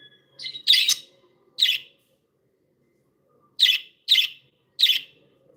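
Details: Cheerful pet budgies chirping: a quick scratchy double note, then a single chirp, a pause of two seconds, and three evenly spaced sharp chirps about half a second apart.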